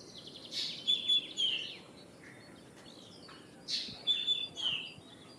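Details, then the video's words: Common (Indian) myna (Acridotheres tristis) giving two bursts of harsh, chattering notes mixed with clear whistles, about three seconds apart, over low background noise. "Common Myna or Indian Myna (Acridotheres tristis)"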